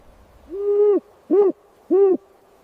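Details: In a forest, an owl gives three low, soft hoots: one drawn-out note, then two shorter ones about half a second apart, over a quiet background.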